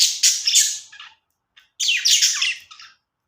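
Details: Budgies making happy sounds: two dense bursts of scratchy, warbling chirps about a second each, separated by a short pause, high and bright, with nothing else heard.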